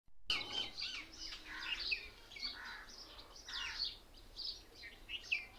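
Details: Many mynas sitting together in one tree, chattering as if mocking and laughing at each other: overlapping harsh chirps, whistles and squeaky notes in a busy chorus, with steady low background noise.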